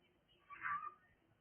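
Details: Cockatiel making noise: one short harsh call about half a second long, with faint room noise.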